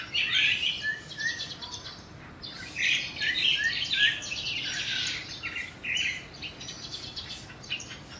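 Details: Mimicking crested myna, one of two birds present, copying other species, chiefly juvenile yellow-vented bulbuls: bursts of bright chirps and squeaky, slurred notes in irregular clusters separated by short quiet gaps, soft outdoor background noise.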